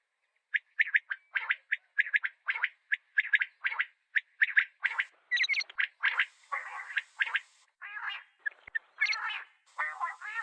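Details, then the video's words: Common quail calling: rapid series of short clipped notes repeated in quick rhythmic bursts, later becoming denser and more rasping. "Common Quail Calling"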